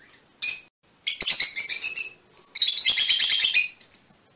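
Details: Fischer's lovebirds in a colour mutation give a brief squeak, then two long runs of fast, harsh, high chattering notes.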